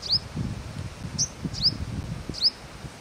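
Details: Purple sunbird at Akhnoor, Jammu and Kashmir, May 2022, giving four thin, high, down-slurred chips spaced irregularly over three seconds, over a low rumble of background noise.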